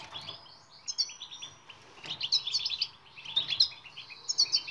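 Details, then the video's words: European goldfinch singing a twittering training song meant to make silent goldfinches sing: quiet at first, then bright tinkling, buzzy bursts of quick high notes from about two seconds on. "بتبتة المقنين الصامت لحل جميع المشاكل السكوت.. jilguero"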